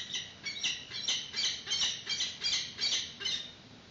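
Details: High, rapid squawking from peregrine falcons at their nest during the chick's first feeding in 2019, caught by a live nest webcam. Harsh notes run almost continuously, several per second, rising and falling in loudness.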